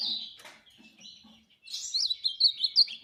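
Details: Ultramarine grosbeak (azulão) singing: a sustained warbled note, a quiet gap, then a louder burst of quick slurred whistles rising and falling.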